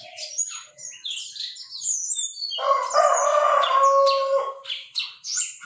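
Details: Chinese francolin calling: a loud, harsh, buzzy run of notes holds steady for about two seconds midway. Thin high chirps and whistles from other small birds are scattered through the clip.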